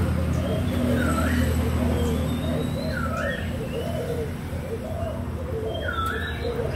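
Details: Many young spotted doves from Malaysia and Thailand, 24 June 2021, cooing together in low, rolling phrases that overlap steadily; a separate bird adds a curved whistle three times, with faint higher chirps.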